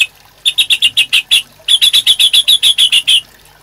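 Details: White-rumped shama sound for training caged birds: two quick bursts of high, evenly spaced chips, about seven notes and then thirteen, with a short pause between.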